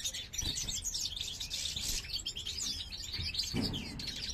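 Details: Goldfinch of the parva subspecies, male singing as the female checks a new nest in a 2023 breeding cage; jangling high twitters mixed with several short rustling thumps and knocks from movement in the cage.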